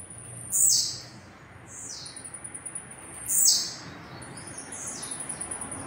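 A blue-black grassquit gives its short, buzzy, high, downward-sweeping song phrase about every one and a half seconds, over a faint thin high whistle and soft rustling.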